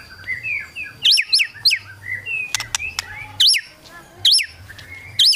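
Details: A white-rumped shama sings kretekan-style to goad rivals: loud looping whistled notes that sweep up and down, repeated in bursts, with softer warbles and sharp clicks between them.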